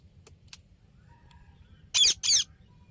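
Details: Ringneck parrot giving two loud harsh screeches close together after faint scattered ticks.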